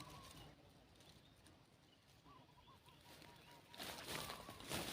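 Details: Spotted dove decoy call used to lure wild doves outdoors: a soft run of repeated low cooing notes, evenly spaced and slightly falling, over steady rural background hiss, then a burst of loud rustling noise.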